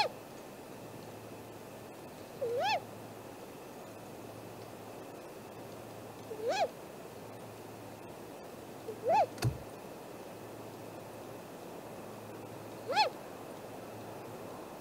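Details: Great grey owl at the nest on an April morning in 2018, captured by a nest camera. Four soft arched whistles are spaced about four seconds apart, with one sharp thud midway.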